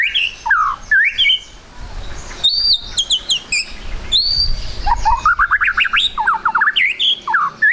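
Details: White-rumped shama trotol lure song for making birds sing fast: varied slurred whistles, bright high piping notes, then a long rapid string of rising chattering whistles.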